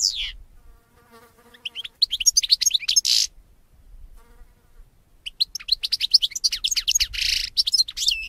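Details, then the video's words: European goldfinch training song: bright twittering and buzzy trills in dense bursts, with a faint lower-pitched ticking or buzzing sound between phrases. "SAKA KUŞU HUYLANDIRMA - #goldfinch - #JİLGUERO - #STİEGLİTZ - صوت الحسون"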